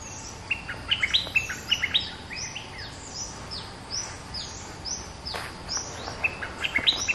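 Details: Bulbul caged for two months, used to lure wild birds, delivers bursts of bright clipped whistles and chirps in fast phrases, pausing midway before a second lively burst, with steady faint hiss behind.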